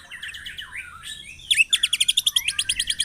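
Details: White-rumped shama lure song meant to provoke other birds; soft varied warbling leads into a loud, harsh, rapid burst of high chattering notes repeated steadily.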